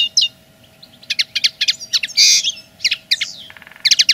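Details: Common linnet song asserting territory: quick high twittering notes in short runs, a harsh buzzy burst in the middle, a sliding whistle and a soft rattling trill, then more rapid chirps at the end.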